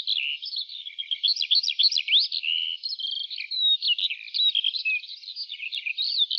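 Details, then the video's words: A lark singing in an open wheat field pours out a fast, unbroken song of high chirps, trills and slurred whistles, varied and tumbling without pause; no other sounds. "Lark Singing"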